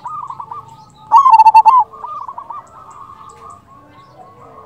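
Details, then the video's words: Local zebra dove singing to lure other doves into answering; a single loud phrase of rapid, stammering coos sits in the middle, surrounded by fainter, repeated cooing from other birds. "Perkutut lokal gacor Pancingan ampuh sekali putar suara ini 100% bikin nyaut"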